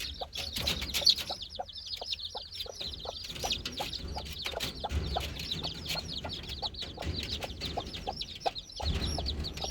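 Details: Young chicks at play, a dense chorus of continuous thin high peeps from several birds overlapping, with light scratching and pecking taps throughout.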